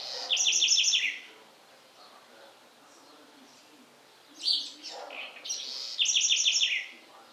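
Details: House wren singing in the Sertão of Bahia, Brazil: fast trilled series of about five bright, descending notes, then a pause, some scratchy notes, and the trill repeated, all high-pitched and crisp.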